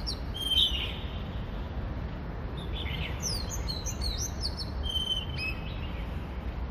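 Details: Oriental magpie-robin singing in Hong Kong, a varied run of clear, high whistles and quick rising and falling notes with short pauses between phrases, over a low background rumble, with a bulbul in the background; Oriental magpie-robin.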